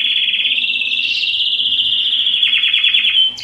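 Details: Belgian canary singing its loudest song to attract females for breeding: a long unbroken warbling trill at steady pitch, turning into rapid rattling descending notes before a sudden high ending.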